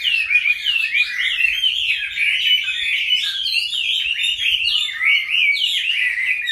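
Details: Caged Chinese hwamei, kept from a young bird into its fifth year, singing a loud, continuous, rich warble of slurred whistles and rapid phrases, rising and falling without pause.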